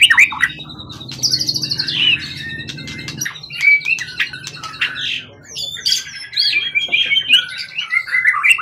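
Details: Long-kept, wild-caught contest bird with a 20 cm-plus tail sings a busy medley of sharp chirps, rising and falling whistles and dense twittering runs, with a low hum behind during the opening seconds.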